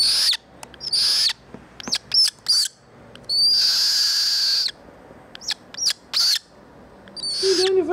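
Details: A young Australasian Swamphen (pukeko), rescued from a road half an hour earlier after its parents were run over, now taking food. It gives high, thin squeaky peeps and one longer drawn-out squeal while a person talks quietly nearby.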